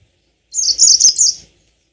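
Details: Yellow-fronted canary (burung mozambik) singing as a lure to prompt long rolling song: about one second of high, bright chirping notes in three quick bursts, otherwise quiet.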